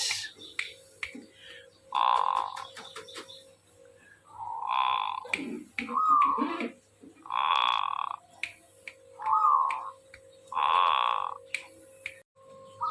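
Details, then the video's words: Zebra dove singing vigorously: soft, burry cooing phrases repeated about every three seconds, with a man talking between them and a steady electrical hum. "burung perkutut gacor"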